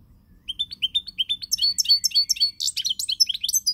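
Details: Goldfinch song recorded 20 March 2020: a string of evenly spaced, bright chirps, about four a second, builds into a dense, fast, tinkling and buzzy twitter of very high notes. The background is clean.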